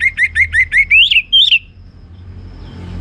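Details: Orange-headed thrush kept at home, singing ngeplong: rapid even run of bright whistled chirps ending in two louder rising slurred notes, then fading into soft background rumble.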